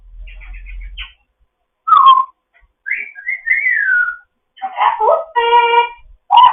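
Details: A foster African grey parrot chats in the morning with quick chirps, a loud dropping whistle, a wavering melodic whistle, then rough squawks and a steady buzzy tone, over a faint low rumble.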